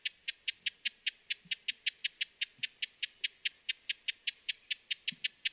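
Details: Dry, sharp chips from a broad-billed hummingbird, repeated in an even, unbroken series of roughly four to five notes per second, with a quiet background.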